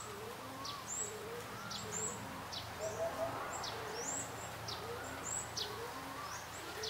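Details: Eurasian hoopoe, recorded at Phu Sing, gives a soft, low triple hoot, 'oop-oop-oop', calling the female to come and eat prey, amid busy high chirps from other birds.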